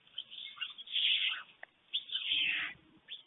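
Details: Two white stork chicks and an adult male at a webcam nest in Fohrde, Germany, during a 1:45 p.m. feeding on 21 July 2019: two shrill, squealing calls with a wavering, falling pitch, the second followed by a low buzz.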